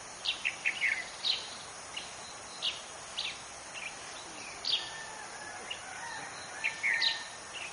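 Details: Chestnut-shouldered petronia, formerly called yellow-throated sparrow, near Goa, India: short high chirps and sharp notes scattered through the clip, irregularly spaced, over steady background hiss; people talk nearby.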